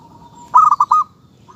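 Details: Local zebra dove: a soft, level lead-in note, then a burst of four quick, rounded cooing notes, then a brief trailing tone.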